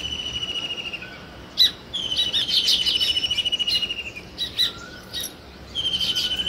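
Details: Sparrow chirping: long, buzzy, sizzling trills held steady at a high pitch, broken by sharp single chirps and a busy chattering passage in the middle.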